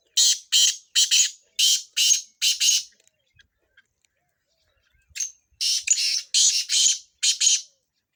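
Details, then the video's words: Chakree training calls of a Sindhi black francolin (kala tetar): a rapid run of six rasping high notes, a pause of two seconds, then another scratchy phrase of about seven notes. "Kala tetar / training for chakree / chakree ki training / sindh / black francolin / चक्र की ट्रेनिंग"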